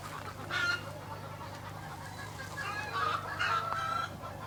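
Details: Chickens on a farm in Hawaii call out in a few short, nasal, level-pitched bursts on a morning, with a steady low rumble underneath throughout.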